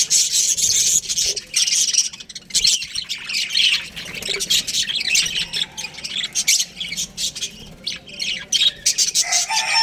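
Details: Young budgies in an aviary chatter together, a thick wash of high scratchy chirps and squawks from many birds with brief quieter gaps.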